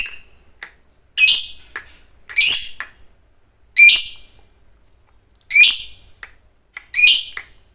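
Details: Lovebird of fighter type, recorded as training song: loud, harsh, shrill bursts of about half a second each, rising at the start, repeated irregularly every one to two seconds.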